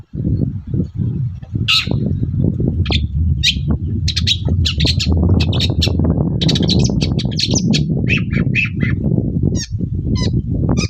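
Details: Long-tailed shrike in the morning, used to provoke other shrikes into answering. A harsh squawk opens a lively run of varied chattering, scratchy and twittering notes, over a constant low rumble.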